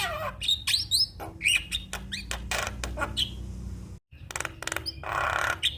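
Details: Black-winged starling champion tutor song for training birds to sing readily. A busy run of clicking, rasping bursts with short high whistles between them, a brief silent break, then more harsh chatter and a low background hum.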